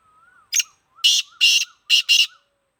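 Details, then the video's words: Black francolin, Sindhi kala teetar: loud, rasping, buzzy notes in a rapid sequence of five, the later ones paired, over a faint, low, wavering whistle in the background. "Kala teetar sindhi || black francolin //sweet voice"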